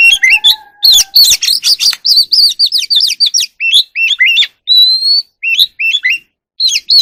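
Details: Oriental magpie-robin in the evening, singing and dancing, a wild bird: quick series of bright warbled and whistled notes with upslurs and downslurs, one long steady whistle near the end, and a faint low tone at first.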